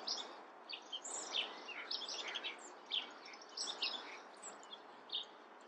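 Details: Chestnut-backed chickadee (Poecile rufescens) calling: scattered high, thin chirps and brief twittering notes in clusters, some slightly buzzy, over steady low background noise.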